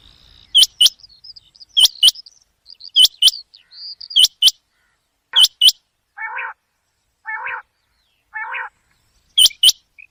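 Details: Night calling of a common quail: ringing high double notes repeated steadily. Soft twittering sits between them, and lower, buzzy rasping bursts come in a gap near the end.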